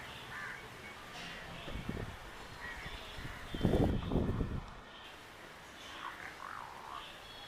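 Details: Jungle bird near Coimbatore giving short harsh, slightly wavering calls at scattered intervals, with a louder burst of low rumbling noise in the middle of the recording.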